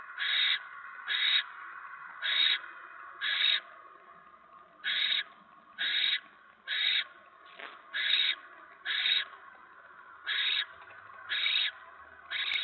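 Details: Mouse delivered to a barn owl nest, 10 November 2017 at 7:50 PM: a steady series of about thirteen rasping, hissy bursts, each short and even in loudness, spaced close to a second apart over a low background hum.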